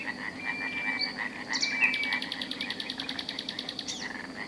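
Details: The first common nightingale of April in Extremadura, Spain, gives clear whistled notes, then a fast, rattling run of repeated notes, over a steady chorus of croaking frogs.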